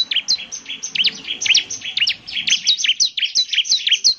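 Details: Bar-winged prinia chattering vigorously to prompt answers from other prinias, with high, sharply bending notes that follow one another almost without break, about two per second in the fuller parts.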